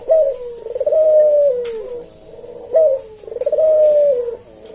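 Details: Slow senggang kuk deruk cooing from a puter jawa collared dove, recorded to train and provoke other cage doves; a clipped first note then a sustained, softly pulsing coo that drops away, heard twice.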